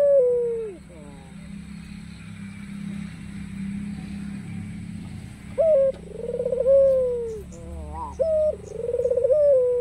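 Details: Black-collared white ringneck dove calling out to provoke rivals into answering; a falling coo opens, a quiet stretch follows, then two warbling, pulsed coos with short rising laugh notes between them.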